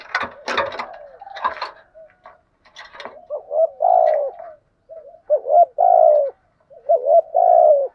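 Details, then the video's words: Spotted dove used as a decoy to provoke wild birds; loud clattering knocks and rustles open, then clear cooing phrases of short rising notes and longer descending coos repeat through the second half. "chim cu mồi thúc gù bài bản, chim cu gáy đẹp mã hót hay. chim cu gáy kích bổi nhanh nổi gù"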